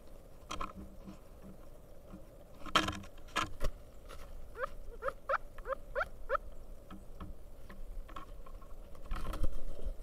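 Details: Male Pileated Woodpecker at a feeder in Kalamazoo, Michigan, calling to a female, apparently encouraging her to leave: a run of about seven soft, rising 'wuk' notes under half a second apart, with sharp knocks and thumps.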